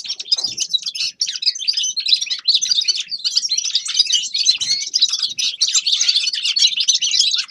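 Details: Grey-crowned goldfinch in song, pouring out a rapid stream of tinkling twitters, buzzy chatter and short liquid trills, continuous and high, with barely a pause across the stretch.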